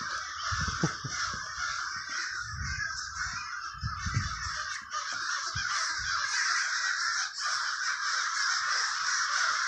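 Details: Massed crows calling over a Villa Park neighborhood in Trenton, New Jersey: a thick, unbroken mix of harsh caws, with a few soft low thumps in the first half.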